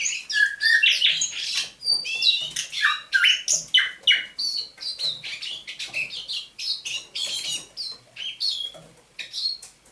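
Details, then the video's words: Dawn song of a captive thrush nightingale, caught near Saint Petersburg in May 2019, recorded 27 November 2021: a loud, fast, continuous stream of varied chirps, slurred whistles and rattling clicks, about three notes per second, fading slightly toward the end. "Пение восточного соловья на рассвете"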